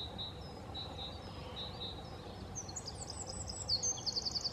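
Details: Eurasian wren singing: a rapid, high, jumbled burst of notes ends in a fast trill of repeated sharp notes. Earlier, a steady faint hum and separate soft whistled notes from another bird.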